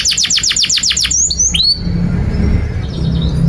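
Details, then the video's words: Canary song for training young canaries: a quick run of falling sweeps for about a second, a few thin whistled slurs, then faint high notes over background hum. "Kenari GACOR PANJANG INI Cocok untuk Masteran KENARI PAUD dan Kenari Macet"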